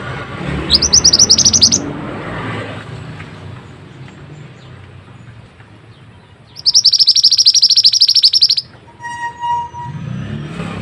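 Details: Mantenan recorded as training song for birds: a dense, rapid trill of high chirps lasting about a second, a long quiet stretch, then a longer two-second burst of fast twittering, followed by a soft whistle and background rumble.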